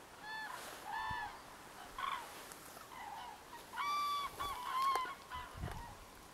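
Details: Common crane (Grus grus) flock foraging and pecking in a winter field: loud, rolling, trumpeting calls from several birds overlapping in irregular bursts about once a second over a faint outdoor hiss.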